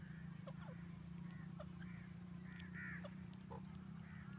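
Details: Grey francolin, known locally as sindhi teetar, giving short harsh nasal call notes with layered overtones, repeated in quick irregular bursts about every half second, over a loud steady low hum throughout.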